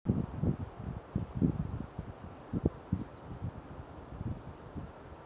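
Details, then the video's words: Eurasian blue tit singing once: a thin, very high note sliding downward, two brief sharp ticks, then a short silvery trill, over a constant low rumble and rustling background. "Śpiew sikorki modraszki"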